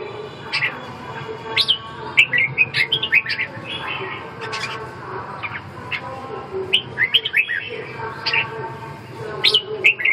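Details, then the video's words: Red-whiskered bulbul giving lively warbling phrases of quick, up-and-down whistled notes, several phrases spaced a second or two apart, against a faint low hum. "Kênh về chim Chào mào"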